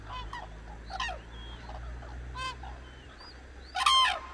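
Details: At dawn on the Hantan River in Cheorwon, Korea, waking cranes give loud, ringing, harmonic trumpeting calls in bursts about every second or so, the strongest at the end, with thin high whistles from other birds between them.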